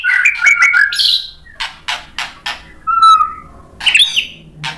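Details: White-rumped shama song meant to provoke a response: rapid chattering notes, then a series of harsh broadband bursts, a clear level whistle, and a final high tangled phrase, all separated by short pauses.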